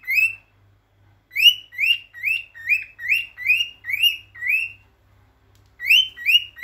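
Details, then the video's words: Male cockatiel singing to attract and stimulate females for mating: a series of short, upswept chirps repeated about twice a second in bursts, with a pause midway, and a faint low hum beneath. "تغريد ذكر كوكتيل رائع للتزاوج"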